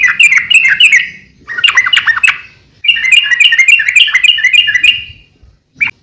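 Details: Energetic sooty-headed bulbul song, meant for training and luring birds: long runs of quick, bubbling, chattering notes in busy phrases, then a brief pause and one short closing note.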